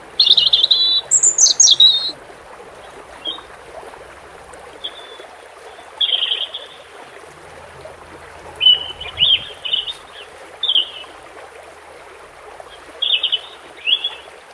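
A European robin sings short, high, thin warbled phrases separated by pauses of a second or more, over the steady rush of running water.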